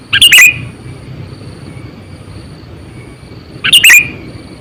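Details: Sooty-headed bulbul, a lure bird about eight to nine years old used for catching wild bulbuls, gives two loud, harsh chirp bursts about three and a half seconds apart, with near-quiet between.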